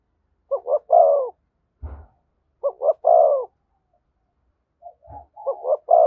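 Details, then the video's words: Thúc gù cooing from a spotted dove close to a decoy bird. Three phrases of two quick notes and a fuller long coo, with two dull knocks in the pauses. "Tiếng chim cu gáy THÚC GÙ giọng hay với sát bổi"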